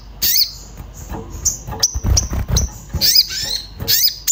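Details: Agitated Orange-bellied flowerpecker looking for a mate, a lure to prompt other birds to sing: short high tinny chirps and swept notes in irregular bursts, with low knocking and handling noise between them.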